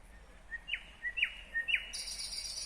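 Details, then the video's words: Nightingale song from Kyrgyzstan, 2020: three quiet low whistles, each answered by a loud, steeply falling note, then a sustained high hissing buzz. "Незабываемое Пение соловья / Chill out Nightingale Singing / Булбул уну / Булбул овози"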